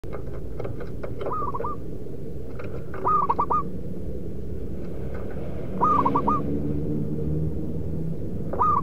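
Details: Local wild zebra dove cooing, the sound used as a lure to trap birds. Stuttering phrases of a hooked note followed by three or four quick rising coos repeat every few seconds over a heavy low rumbling background noise.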